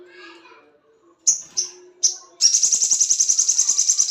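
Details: Mating call of a crested jay in breeding condition: three short, sharp, downward-slurred high notes, then a fast, even, buzzy rattle of about three to four pulses per second, over faint low background tones.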